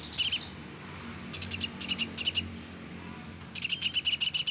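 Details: Pelatuk sampit, a velvet-fronted nuthatch, calling for a songbird tutor recording: a short burst of high chips, scattered clusters of sharp notes, a pause, then a closing rapid run.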